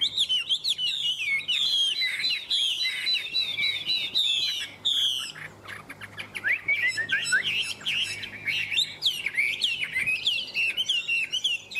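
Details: Long song bout from a kept Chinese hwamei: rapid, tumbling whistled phrases, loud and varied, with a brief pause of softer clicking notes midway before the rich warbling resumes.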